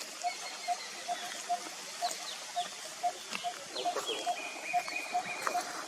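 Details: Malabar barbet of India's Western Ghats giving repeated low, hollow notes at a quick, steady pace, while other birds add whistled and chirping notes and forest background noise hums throughout.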